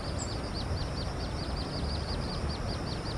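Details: Little grebe chicks on the Tama River, Japan: thin, high peeping notes given in a rapid steady series, about six each second, over a loud constant low rumble.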